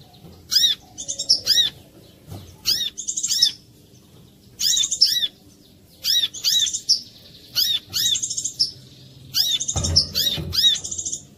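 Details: Clear lure recording of a brown-throated sunbird, meant to draw other sunbirds into song: sharp high arched notes and fast rattling trills in short phrases separated by brief gaps, with a low bump near the end.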